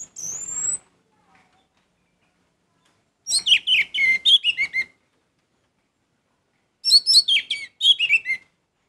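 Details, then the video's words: Orange-headed thrush singing energetically: a high thin whistle, then two long phrases of rapid sweeping and trilled notes that tumble downward, each about a second and a half long, with clean silence between. "Anis merah gacor"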